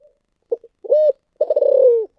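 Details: Spotted dove singing in the thổ sấm voice style: a brief soft note, then a steady, level, mellow coo, followed by a longer rolling, pulsed coo that slides slightly lower before ending abruptly.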